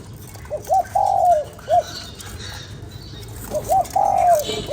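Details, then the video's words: Two clear spotted dove coo phrases for rousing a decoy bird, each a short hoot, a long slurred falling coo and a clipped end note, separated by a quiet pause with faint background noise. "Cu gáy kích bổi"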